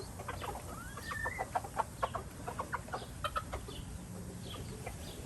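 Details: Red junglefowl recorded in Laos: a quick rising whistled note followed by a run of soft, evenly spaced clucks, about four per second, against low continuous hum.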